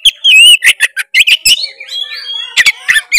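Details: Oriental magpie-robin singing energetically to provoke a reluctant bird to sing: rapid sequence of sweet whistles and wavering trills, with sharp clicking notes and a thin sustained whistle in the middle.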